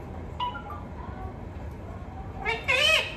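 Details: A talking parrot makes faint, soft syllables at first, then a loud, buzzy, harmonic phrase near the end, rising slightly in pitch.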